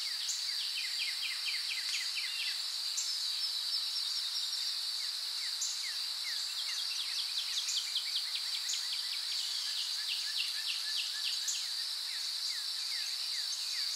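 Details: Recently fledged young Eurasian wrens, being fed dragonflies by their parents by a river, give quick bursts of thin, high, downslurred notes, each run a few seconds long, over a steady shrill insect drone; call.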